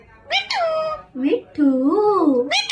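An Alexandrine parakeet gives a few rich, nasal, voice-like calls that waver up and down in pitch, in an indoor room.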